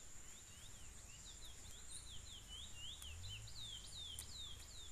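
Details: Chestnut-bellied seed finch (curió) delivering a continuous string of swooping whistled notes, each sliding down then up, fairly quiet against steady background hiss and a few sharp clicks.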